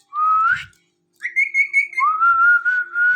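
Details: Indoor pet Ringneck parrot whistling: a rising whistled note, a pause, then a wavering level whistle followed by a long slowly rising one, all clear and loud in a small room.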